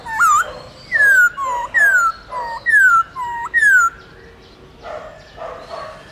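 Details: Wild-style song of a Black-throated laughingthrush played to captive birds: alternating short upturned whistles and longer downslurred whistles, repeated steadily, fading into softer calls at the end.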